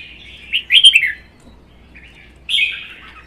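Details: Red-whiskered bulbuls in a caged singing duel, one a wild-caught adult kept one season: a loud, quick warbled phrase, a faint note, then another bright whistled phrase.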